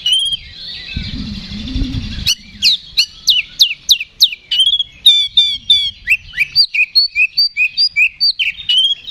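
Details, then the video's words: Oriental magpie-robin singing aggressively in fighting style as a provocation recording. A buzzy trill over a low rumble gives way to a long, rapid series of crisp, down-slurred chips and whistled flicks, roughly two to three per second. "KACER GACOR NGEPLONG TARUNG !! PANCINGAN KACER PALING AMPUH BUAT MENAIKAN EMOSI KACER AUTO RESPON"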